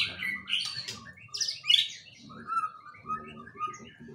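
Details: Caged white-rumped shama singing a varied, loud run of sharp chirps and whistled phrases, mostly high, with fill-in phrases of kapas tembak; a steady low hum sits beneath, and a voice follows.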